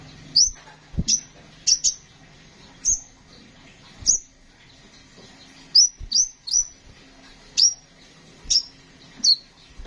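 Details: Sunbird known as kolibri ninja, singing in a bright rolling style: crisp high downslurred chirps repeated roughly every half to one second, sometimes in quick pairs, over a quiet background with occasional low thuds.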